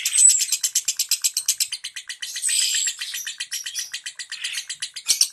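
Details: Ngentik-style lovebird song for prompting silent lovebirds: quick high chatter that breaks midway into looser, varied squeaky twitters before the rapid notes return.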